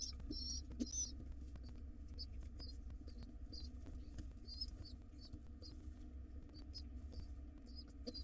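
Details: Wild pigeon nestlings in a nest box beg while their father feeds them: scattered high, squeaky peeps come in short bursts over a steady low hum.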